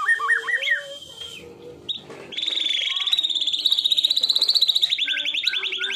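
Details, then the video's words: White-rumped shama song from a real bird, recorded as a tutor track of sharp 'tembakan' bursts: a few varied whistles and a pause, then a long, fast, buzzy trill held high and steady for several seconds. "MASTERAN MURAI BATU TERFAVORIT KOMPLIT TEMBAKAN SUPER GANAS !!! BURUNG DI JAMIN LANGSUNG NYAHUT."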